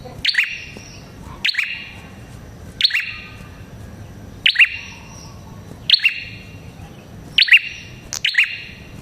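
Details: Red-headed prinia (prenjak kepala merah), a lure recording meant to draw prinias in: sharp, high double chirps with a ringing, echoing tail, about seven bursts spaced unevenly over nine seconds, with faint low background hum.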